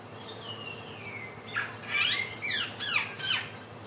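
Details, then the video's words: Helmeted friarbird, native to West and East Nusa Tenggara, singing a trotolan lure: a long thin descending whistle, then four loud slurred downward squawky notes in quick succession. "Pancingan samyong trotolan belajar bunyi"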